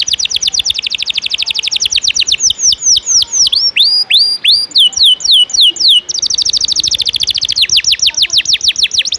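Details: Canary giving a sharp ngejos-style song meant for training contest birds: a long rapid trill of descending chips, then slower looping whistled sweeps, then a fast high trill again.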